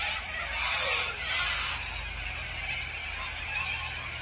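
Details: A huge flock of corellas at Tocumwal on the Murray River makes a dense, continuous wall of harsh screeching squawks that blur into one raucous din, swelling and fading over a few seconds.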